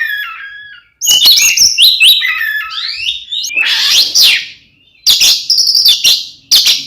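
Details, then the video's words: Oriental magpie-robin fighting song aimed at provoking rivals: sliding whistles, sweeping upward buzzy notes and loud harsh bursts, with short clipped chatter near the end. "SUARA BURUNG kacer gacor NGEPLONG TARUNG ini paling AMPUH buat PANCINGAN KACER agar EMOSI"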